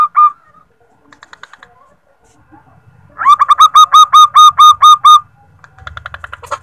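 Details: Female zebra dove used as a lure to make males sing: a short opening note and soft twitters, then a run of about nine loud, ringing whistled notes in quick even succession, with low rumbling behind.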